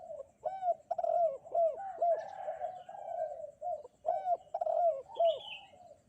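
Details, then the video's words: On a bright morning a spotted dove calls energetically, giving a steady series of low, mellow, slightly arched coos, several quick notes grouped together then brief pauses, with faint higher chirps from other birds behind. "burung derkuku kuk 2 gacor"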